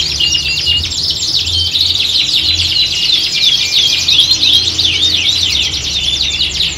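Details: A group of canaries singing as if at a singing competition, meant to toughen birds for contests; rapid overlapping twitters, sweeping whistled notes and quick trills, with a soft low hum beneath.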